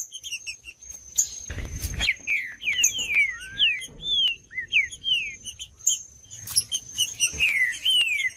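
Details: Green-winged saltator song used to stimulate a quiet saltator into singing: quick series of loud descending whistled slurs with a low upward swoop, a constant high whine and brief high ticks, plus a short noisy burst.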